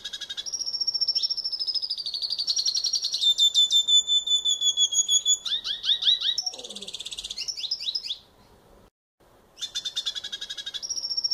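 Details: A wild red siskin in nature sings a long, rapid twittering song of high chips, trills and buzzy notes, pauses briefly, then resumes the chatter.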